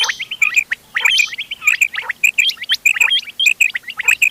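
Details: A quail (bater) mix for hunting, dated 31 October 2025. Quick sharp double notes come about every half second, and buzzy upswept chirps from other birds are threaded between them.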